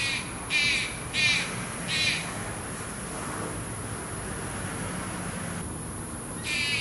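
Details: A Malayan Night Heron feeding its young after dark in Taichung, Taiwan, 30 July 2020, gives a quick series of four raspy calls, then a long quiet stretch of background hum and one more harsh call at the end.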